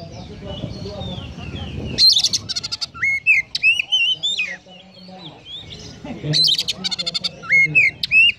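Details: Oriental magpie-robin singing in the 'konslet' style packed with sparrow imitations: after a low murmuring start, bursts of dense chattering notes alternate with sharp, slurred whistles rising and dipping, repeated in two rapid flurries.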